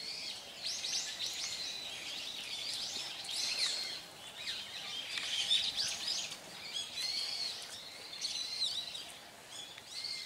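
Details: Brown-eared bulbuls (Hypsipetes amaurotis) in Hourai Park, Tokyo, give loud, harsh, high squealing calls in a busy overlapping chorus, several per second, with other birds twittering faintly behind.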